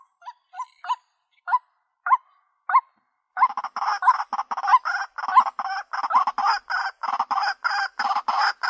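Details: Lure call of the white-breasted waterhen: sparse short upslurred notes at first, then a dense run of rasping, grating croaks in quick succession.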